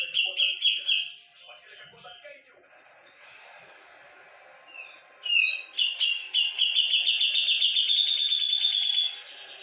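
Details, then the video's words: Brown-cheeked bulbul of Java in vigorous song, with repeated high buzzy notes, a lull of soft twitter, then a strong sustained trilling phrase rising in intensity before cutting off. "Cucak jengot gacor volume tembus"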